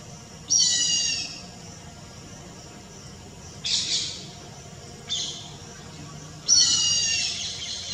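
Four harsh, high screeching squeals of a grey hornbill, each about half a second to a second long and spaced irregularly, over quiet background hiss.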